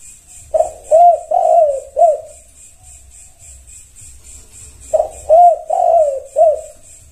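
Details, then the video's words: Tekukur, or spotted dove, singing in response to another bird. Two soft, low cooing phrases about four seconds apart, each of four notes with a long drawn-out third coo. A high rhythmic buzzing and faint low rumble continue throughout. "Semua tekukur wajib ain merespon 100% NYAUT"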